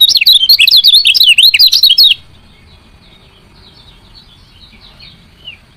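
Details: Female lemon-bellied white-eye calling to get males to sing: two seconds of rapid, loud, high zigzagging chirps, then near silence with faint distant twitters.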